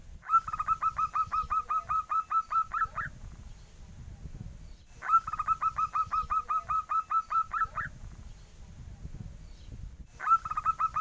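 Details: Young zebra dove with a call compared to a duckling's: three separate fast runs of clipped, regular peeps, each lasting about three seconds, with gaps between. Constant low background rumble throughout.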